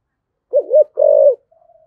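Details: Spotted dove cooing in the "giọng thổ" voice style, used as a lure to stimulate wild doves to respond: two short low coos, then a longer, steady, slightly rolling coo, followed by a faint lingering tone.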